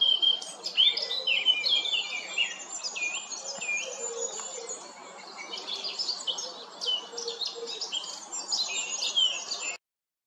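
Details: A male Eurasian blackcap singing on 14 April 2024: a fast, continuous warble of bright chattering and fluty high notes, with other birds' chirps mixed in behind.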